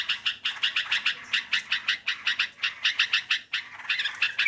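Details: Sooty-headed bulbul with a melodious voice, recorded for luring: quick runs of clipped, chirpy notes in short rhythmic groups, ending in a slightly more warbled phrase.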